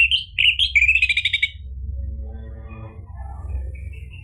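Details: Orange-headed thrush singing, played to stir another bird into song: a short burst of sweet slurred whistles and quick trilled notes lasting a second and a half, then fading into faint background chirping and low hum.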